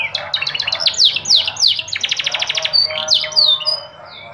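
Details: Yellow canary in full song, rapid trilled phrases of repeated notes shifting in speed and pitch, broken by clear downslurred whistles and rolling rattles.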